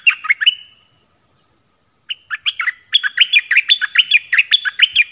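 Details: Bulbul decoy bird calling to lure wild birds, 16 March 2021: a short chattering phrase, a two-second pause, then long fast runs of bubbly notes that jump between low and high pitches, roughly two or three per second.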